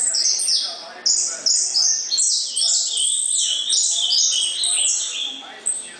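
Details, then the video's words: Ultramarine grosbeak singing in the loud 'gritão' style, recorded 19 August 2014: a fast run of bright, high, stepped whistled phrases tumbling together with short pauses, and faint voices in the background. "Azulão Gritão"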